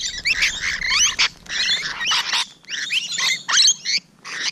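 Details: Morning of 12 June 2017, Rainbow Lorikeets close by: continuous harsh screeching and rasping chatter from several birds, loud bursts separated by brief pauses.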